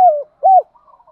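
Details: Spotted dove lure coo for stimulating birds: two short hoarse mid-pitched notes, the second arched, followed by a faint trailing murmur.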